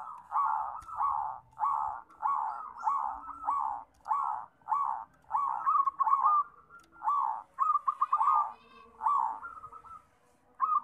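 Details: Perkutut (zebra dove) cooing in repeated soft, rolling phrases, each under a second and spaced evenly. Later phrases turn into quicker stuttering coos, with faint low rumbling in the background.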